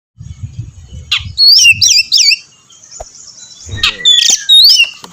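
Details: Oriental magpie-robin in active song, used to prompt other magpie-robins to sing; loud clear whistled phrases with quick up-and-down slurs, a few separate bursts over five seconds, soft low thumps and a faint steady high tone underneath.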